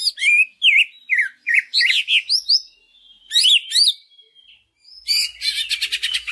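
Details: Leafbird lure song from a greater green leafbird: varied looping whistles that dip and rise, a pause, another burst of twisting notes, then a fast buzzy chatter at the end.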